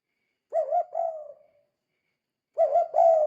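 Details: Repeated low cooing of a spotted dove, played to stir other doves into calling; two phrases of wavering, hollow coos separated by a pause of about one second.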